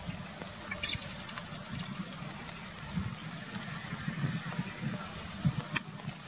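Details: In the town of Wittlich, 2019, a Yellowhammer gives a fast run of about ten short high chips, then ends on one long, steady high note. Faint low town rumble continues after the song.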